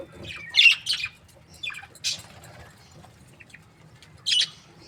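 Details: Happy budgerigars kept as breeding pairs give short, sharp squeaky chirps in separate bursts, a pair of loud notes early on and another chirp near the end, with quiet pauses in between.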